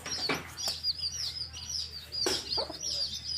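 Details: Colourful baby chicks with their hen out in a field, giving soft, thin, high peeps in a quick irregular stream, a few louder broadband scratches or clucks breaking in, over a constant faint low hum.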